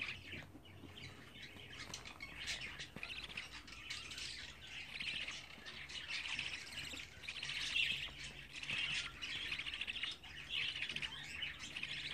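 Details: Twenty-four-day-old budgerigar chicks calling more softly: harsh, squawky chirp bursts building in the second half, irregularly spaced, with a faint low hum.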